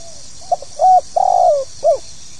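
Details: Calling spotted dove, locally tekukur, in 'pokal tanggung' style: brief soft notes, a flat sustained coo, a long vibrato coo falling in pitch, and a closing short rounded note, with continuous hiss in the background.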